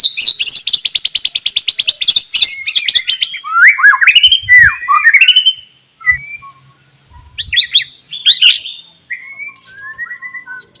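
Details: Morning song of a white-rumped shama meant to provoke other shamas into singing: opens with a rapid buzzy trill, then loud varied whistles, swoops and chattering phrases, with brief low knocks in the background.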